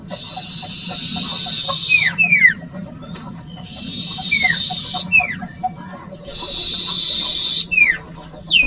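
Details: Common iora song used as a lure for young birds: three long buzzy trills, each followed by a few sharp downslurred whistles, with a low hum in the background.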